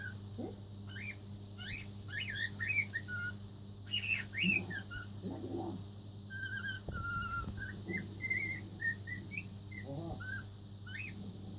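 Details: A four-month-old cockatiel practising Queen's "Another One Bites the Dust" whistles the mimicked tune in short rising and falling phrases, with chirps mixed in, over a steady low household hum.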